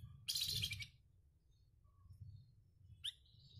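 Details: A flamboyan bird, used as a master song for competition birds, gives a harsh, scratchy burst of song lasting about half a second, then a brief rising whistled note, with a low background rumble throughout.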